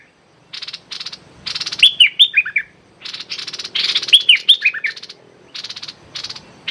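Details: Streak-eared bulbul used as a decoy, calling at a captive bird: harsh buzzy rattling bursts alternate with two quick runs of clear, downward-sliding whistled notes.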